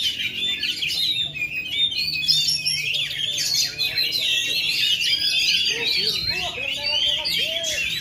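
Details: Ringed captive Oriental magpie-robin in Indonesia, still in full song despite failing to moult for two and a half years: fast, continuous high whistled phrases and scratchy chatter, with a few lower notes and faint background noise near the end.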